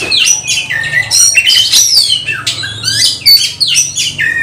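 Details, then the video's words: Fighting oriental magpie-robin, its song meant to stir up emotion: loud, rapid, varied whistled phrases with steep downward and upward sweeps and harsh chatters, packed tightly with no gaps, plus a faint low hum beneath. "Ampuh dongkrak Kacer tarung bongkar emosi"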